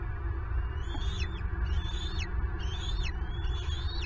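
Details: Bald eagle at a Southwest Florida nest, recorded as an intruder steals a turtle meant for the eaglets: four drawn-out rising whistles, each ending in a quick downward slur, roughly every second over low rumble.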